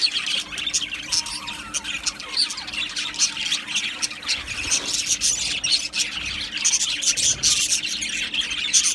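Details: Busy flock of Australian budgerigars producing harsh squawks over continuous high twittering chatter, with a faint steady low hum underneath.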